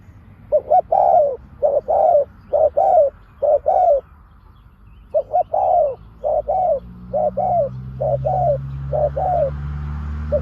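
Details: Spotted dove decoy bird used to lure wild doves, giving its sharp 'pak khruen' call: mid-pitched hoarse coos in paired phrases, a short note then a longer falling one, repeated in two bursts split by a silent gap.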